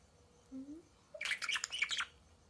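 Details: A faint low rising whine leads into a budgerigar's loud bout of twittering and scratchy chirps, lasting nearly a second, from a clamorous budgerigar chorus.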